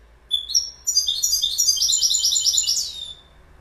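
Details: Goldfinch song: a few opening high chips, then a continuous, rapid, liquid twittering run of bright metallic notes lasting over two seconds before stopping abruptly.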